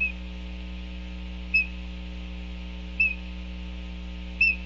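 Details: Laysan albatross Mahealani, a female paired with another female, on an early-morning feeding visit to her sleeping chick at a nest on Kauai's North Shore, May 24, 2017: three short, high whistled notes over a low electrical hum.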